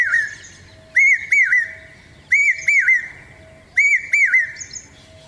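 A common hawk-cuckoo repeats a shrill, whistled phrase of arched notes about every one and a half seconds. A faint steady hum sits underneath.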